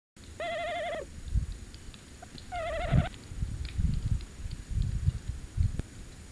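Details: Tawny owl on a short visit at De Mortel, 27 January 2021 around 21:49, on a live camera: two quavering, wavering mid-pitched hoots about two seconds apart, then low rumbling and knocking noises.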